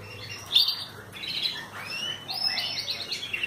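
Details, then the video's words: Young Belgian canary of mixed breeding singing while sunbathing, a varied run of high chirps, short trills and slurred whistles with brief pauses. "Canário Belga vocalizando"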